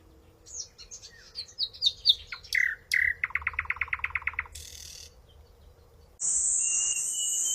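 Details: Bird song with high whistled notes stepping downward, then a rapid even trill of about a dozen clipped notes, a brief buzzy burst, and finally a steady loud high-pitched tone filling the last second.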